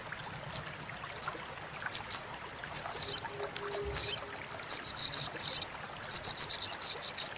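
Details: Sogon (sogok ontong) chattering used to tutor competition birds and coax silent birds into calling: sharp high chips spaced about every half second at first, building into fast clustered rattles toward the end.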